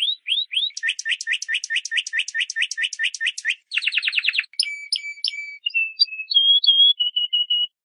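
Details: Green leafbird singing for young birds to learn from. A clean series of rising whistled notes repeats rapidly, then breaks into a buzzy trill, followed by sustained level whistles and short warbles. The background is quiet.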